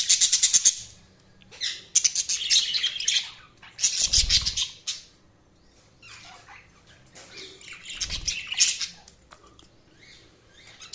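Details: Budgies give bursts of loud, scratchy chirps and squeaks separated by quiet gaps, with two dull low thumps among the calls.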